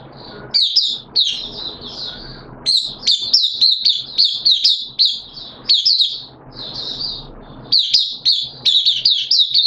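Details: Captive oriental white-eye singing 13 September 2022 on day two of a monthly deworm course; lively, rapid high twittering in repeated bursts of several notes with brief pauses.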